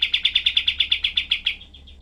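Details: Cream-vented bulbul firing a short 'tembak' burst, the shooting-style song used as tutor material for other songbirds. About a dozen sharp, clipped high notes come in quick succession, then trail off into softer chips.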